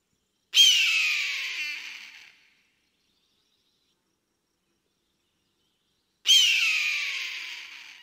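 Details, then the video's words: Flying, hunting eagle screams twice, with nearly six seconds of silence between: a loud, grating cry that starts high, drops slightly and tapers off over about two seconds. "Tiếng chim đại bàng kêu"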